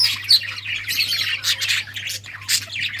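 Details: Playing budgies produce continuous high twittering and scratchy chirps in overlapping bursts, over a constant low hum.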